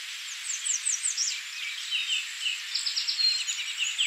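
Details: Cedar Waxwings at Tawas Point, Michigan, USA, on 19 May 2023 give very high, thin, lisping seee notes, several birds overlapping in quick, shimmering bursts over a faint background hiss.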